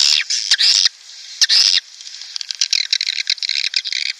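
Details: Swiftlet call intended to attract breeding swiftlet colonies into a nest house: loud harsh buzzy bursts followed by rapid high chattering and clicks.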